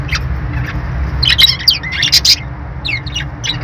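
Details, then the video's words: Caged budgies chatter in quick high chirps and squeaky notes, clustered in the middle and fading into scattered tweets, with a constant low hum underneath. "budgie birds sounds | love birds sounds | parakeet chirping sounds"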